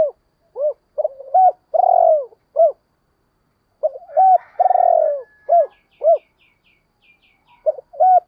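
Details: Spotted dove calls meant to draw in wild doves: two full phrases of short, rounded coos, each built around one long, rolling, descending coo. Faint high chirps sound in the background between phrases.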